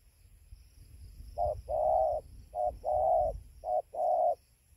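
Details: Dawn spotted dove session at 5:20 am by a roosting tree in Gia Lai, Vietnam, 24 November 2020. Three pairs of soft coos, a short note leading into a longer warbling one, over low rumbling background noise.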